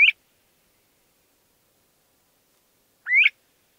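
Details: Rising whistled calls of a LeConte's thrasher, two upslurred notes about three seconds apart with silence in between, the first clipped at the start.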